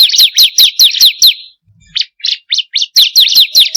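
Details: Bar-winged prinia song for luring captive birds: a quick series of high downslurred notes, a short pause, five separate sharp chirps, then the rapid slurred series resumes.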